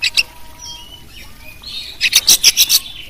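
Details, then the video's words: Competition Oriental magpie-robin singing a full, varied song, used as a tutor to train and provoke other birds. Faint thin whistles lead into a burst of six loud, rapid, scratchy notes near the end. "masteran kacer juaran full isian bagus buat pancingan"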